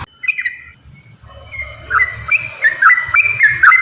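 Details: Straw-headed bulbul singing in 'gacor ropel' style as a lure for lazy birds: a short warbled phrase, a second of near quiet, then a string of liquid whistled notes building in strength, with low background rumble.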